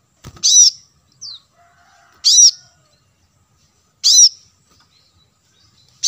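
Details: Plain-throated sunbird lure for attracting wild birds; single ringing high chirps repeated roughly every two seconds, one faint thin downslurred note and a soft click.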